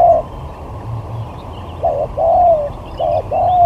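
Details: Spotted dove lure bird in a luring skill contest, giving low hollow coos: a short note, a pause, then a two-part coo with a long drawn, slightly falling ending, over steady low background hum.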